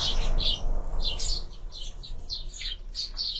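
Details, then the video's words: A sparrow at a bird feeder gives short, clear chirps spaced about every quarter second, slightly uneven, over steady low background noise. "#воробей #sparrow"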